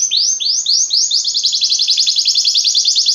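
A Belgian canary sings: a few quick rising whistled sweeps give way to a fast, rolling high trill, repeated about four times a second.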